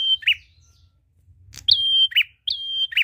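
A prinia sings high, thin whistled notes that end in short buzzy trills, repeated about every second, with a single sharp click in between.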